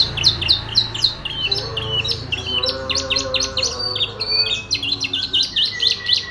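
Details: Canary song, loud and continuous: fast runs of sharp high chirps and swooping notes mixed with drawn-out whistles, varied phrases following one another, with a faint low hum beneath, as if indoors.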